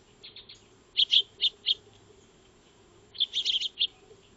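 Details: Backyard Eurasian tree sparrows, called maya birds, feeding before a solar trail camera; two short bursts of four or five bright chirps separated by over a second of quiet.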